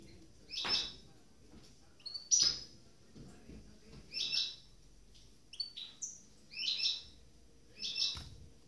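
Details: A captive goldfinch hybrid (mule), freshly through its moult, gives bright, high chirping calls in short bursts repeated every second or two, with soft rustling between.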